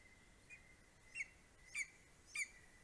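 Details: Greater spotted eagle in Estonia: a male brings a vole, a bird and another vole to his four-week-old eaglet at 9:02 am on 2 July 2020. Four short, sharp downslurred yelps, growing louder, spaced about half a second apart over a steady high hiss.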